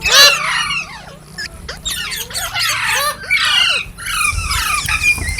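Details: Loud, harsh squawks from green parrots come in separate bursts about a second apart, each full of raspy, sweeping notes.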